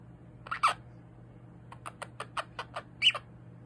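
A monk parakeet chatters contentedly in harsh squawks and quick clicking chirps.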